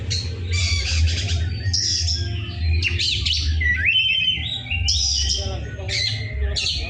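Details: Oriental magpie-robin singing loudly in a rough-voiced style: varied whistled and scratchy phrases, rising and falling slurs and harsh chatter, over a steady low rumbling hum.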